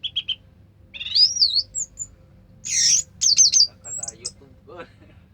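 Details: Orange-headed thrush, known locally as anis merah, singing: a short chip phrase, then twisting whistled notes sliding up and down, a harsh burst and rapid warbled notes, ending in lower buzzy sounds, over a low hum.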